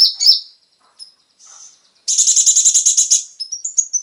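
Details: Konin song played to encourage caged birds to sing: a sharp whistled burst, faint pause, then a buzzy rattling trill of over a second, ending in a few rising high chips.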